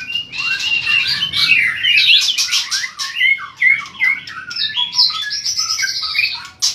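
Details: White-rumped shama in heated song while flicking its long tail; dense stream of varied whistles, buzzy trills and rapid chattering phrases, fairly continuous throughout.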